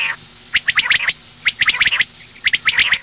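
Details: A female common quail gives morning calls: three tight bursts of rapid, sharp, chattering clicks about a second apart.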